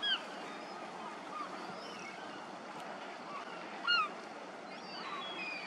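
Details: Lesser Black-backed Gull juvenile begging as it is fed, giving two loud, thin, downslurred whistling squeals, one at the start and one about four seconds later, over a constant background chorus of other gulls.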